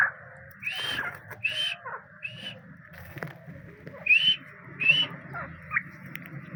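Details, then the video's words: Grey francolin, called dakni teetar locally, giving a series of loud, clear whistled notes, each short and slightly rising, repeated irregularly about every second with brief pauses, over a low steady background rumble. "Dakni Teetar Ki Awaz"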